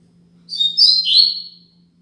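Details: A tutor song for young birds, sung by a Double-collared seedeater in the Braddock Tui Tui Zel Zel Top style: about one second of loud, high, trilled whistles, running into a descending slurred note, over a quiet steady hum.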